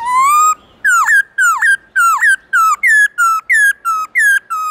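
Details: Black-throated laughingthrush singing its forest-voice song style in the morning: a long rising whistle, then a run of loud, ringing notes, each dipping and rising, about ten times in quick series.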